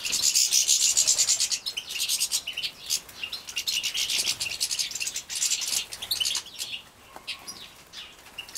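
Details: Captive-bred European goldfinch young in Poland, 2017, fed at lunchtime: an opening burst of shrill, hissing begging, then quick, scratchy high chirps that gradually thin out.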